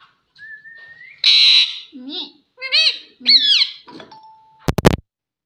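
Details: Talking pet parrot that says "mummy": a high rising squeal, a loud harsh squawk, then several nasal speech-like syllables with bending pitch, followed by a short steady tone and sharp clicks near the end.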